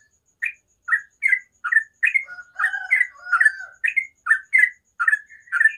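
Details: Sooty-headed bulbul singing in the morning, a run of short chirpy notes about two per second, with lower overlapping warbles in the middle suggesting a second voice, and a faint hum.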